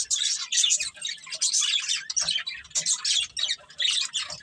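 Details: Chirping from a budgerigar breeding pair: continuous raspy, buzzy warbling broken into uneven bursts with short gaps, lively and chattering throughout.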